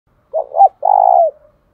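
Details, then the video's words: Decoy spotted dove calling to provoke wild doves into a fight: one clean phrase of two short rounded coos followed by a long, slightly quavering, falling croo, with no other sounds around it. "Chim Cu Mồi Thúc Đấu, tiếng gáy hạp bổi, bổi nghe gáy"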